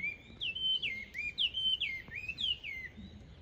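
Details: Chinese hwamei, an introduced species in Japan, chattering in birch trees on a sunny day: clear, loud whistled phrases that swoop down then up, repeated with varied shapes, rich and fluty, over faint background noise.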